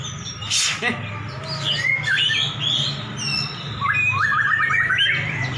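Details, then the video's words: White-rumped shamas, two champion birds set against each other in a duel: varied clear whistled phrases at shifting pitches, a sharp burst near the start, and a quick rising-and-falling run of repeated notes near the end, over human talk. "Duel Murai Batu Jawara"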